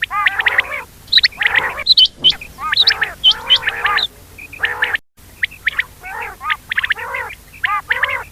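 Quail calling at night in quick bursts of harsh, chattering notes, several voices overlapping, with brief gaps between bursts.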